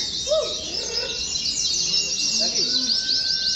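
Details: Oriental white-eye (pleci) on a hanging pole in competition-simulation training: high, fast continuous twittering of tiny rising and falling notes, with a few lower chirps and a thin drawn-out whistle underneath.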